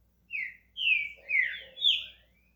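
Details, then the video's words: Green-winged saltator kept as a pet in Brazil, beginning its song with a short whistle followed by three fuller, falling whistled notes, the final one bright and clear, in a quiet room. "Trinca ferro SHREK começando a cantar"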